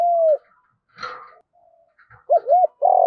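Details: Fragments of a spotted dove's field-voice fighting coo used as a lure: a falling coo at the start, a scratchy burst and a soft hum in between, then a double bouncing note and a long coo.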